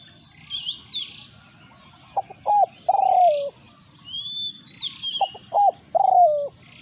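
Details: Decoy spotted dove confronted by a wild territorial bird: two phrases of two quick coos and one long descending coo, about three seconds apart, over high chirps and a whistle from other birds.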